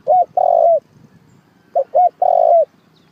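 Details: Spotted dove cooing, used as a trapping lure: low, mellow hooted phrases, each a short note or two followed by a longer, sustained coo with a slight downward bend, two phrases over a quiet background.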